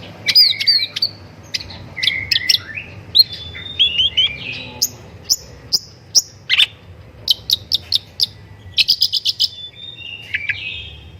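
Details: Long-tailed shrike master song meant to prompt other birds to sing, a varied run of sharp chirps, slurred whistles and short trills, with quick rapid note clusters near the end and a faint low hum behind.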